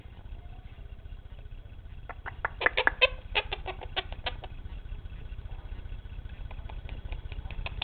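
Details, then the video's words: Pet male Quaker parrot, acting silly and shy indoors, said to cluck like a chicken and make kiss sounds: a burst of sharp, rapid clicks and clucks in the middle, quieter clicks before and after, with faint background hum. "Quaker Parrot talking and being silly"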